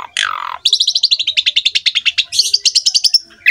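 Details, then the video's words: Asian pied starling, a prolific singer recorded as a master for young starlings to copy: a harsh falling note, then a rapid run of about twenty clipped whistled notes near the top of the range, ending in a buzzy, steady trill. "MASTERAN BURUNG JALAK SUREN GACOR FULL ISIAN MEWAH MUDAH DITIRU OLEH JALAK SUREN MUDA"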